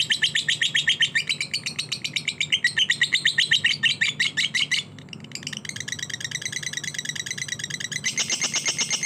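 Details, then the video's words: Lovebird singing in fighter style: long, dense bursts of rapid, high, chattering chirps, a brief pause, then more continuous shrill twittering, over a steady low hum. "Lovebird Fighter"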